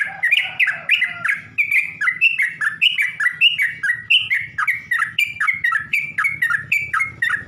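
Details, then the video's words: Sooty-headed bulbul song played as a lure to stir up other bulbuls. Continuous chain of quick, liquid, slurred whistled notes, each dipping then rising, with a faint low hum beneath. "Burung trucuk manapun gak bakal diam kalo dengar pancingan ini"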